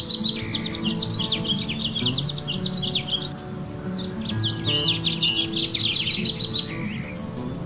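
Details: In a California backyard, a Cassin's kingbird gives two bursts of rapid, burry chattering notes, each lasting about two or three seconds, over a steady low rumble.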